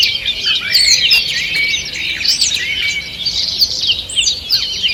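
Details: Forest birds at dawn on 2 June 2023 singing in a crowded chorus: bright chirps, twittering runs and a few looping whistled notes, steady from start to finish.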